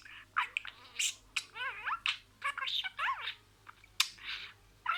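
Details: Pet budgerigar talking and imitating words. Scratchy, voice-like syllables come in short bursts, with two wavering, harmonic, rising-and-falling phrases in between. The setting is quiet.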